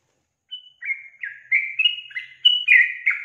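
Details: Female yellow-vented bulbul in full voice, a call said to set males answering; a thin opening whistle leads into a fast, jumbled series of bright, rolling notes repeated several times a second.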